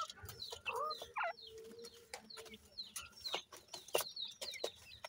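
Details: Grey francolin chicks under care call with brief high chirps. A longer steady whistled note and a few rising squeaks stand out, with sharp tapping clicks throughout.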